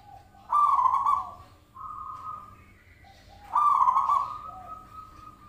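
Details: Sound lure of a zebra dove: two loud trembling coos about three seconds apart, each trailing into a long steady whistled tone, over faint low hum.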